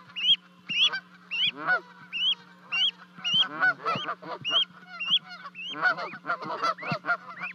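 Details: Canada goose parents and two goslings at a high osprey nest in Charlo, Montana, 12 May 2020, after the young leap 30 feet down. Regular sharp rising peeps about twice a second sit over bursts of coarse honking.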